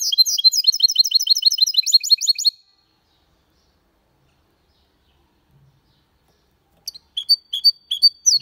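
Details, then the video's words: A goldfinch and canary hybrid sings a clean Malaga-style song: a brisk run of repeated bright, sweeping notes, a long pause of silence, then spaced chirps and a thin whistle. "Mixto de Jilguero Cantando Limpio"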